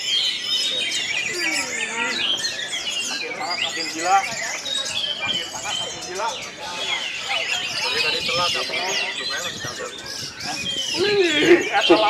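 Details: Competing orange-headed thrushes at a Karawang, Indonesia bird-song contest deliver a long tangle of varied whistles, warbled slurs and quick mimicked notes, overlapping throughout, with music in the background.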